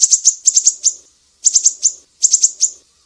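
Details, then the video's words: Sharp 'besetan' song of a Sumatran mangrove whistler, a master for songbird training: three bursts of shrill high notes, each a quick cluster of three or four followed by a drawn-out final note. "SIRI SIRI SUMATRA, BESETAN PEDIH"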